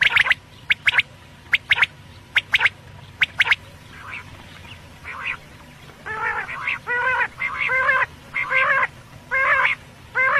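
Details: Batair, or quail, first giving rapid sharp triple-note whistles, then a series of repeated nasal, buzzy harmonic calls about every second for the rest of the recording.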